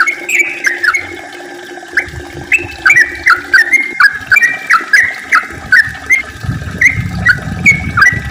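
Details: Long lure song of yellow-vented bulbul meant to set others singing: quick liquid whistled notes repeated steadily, phrases rising and falling, with soft low thumps and traces of other high chirping birds in the background.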